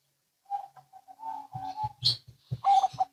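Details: Local and Bangkok zebra doves answering each other: soft, short cooing notes with clicks and knocking sounds in the background, then a louder run of quick, bubbling coos near the end.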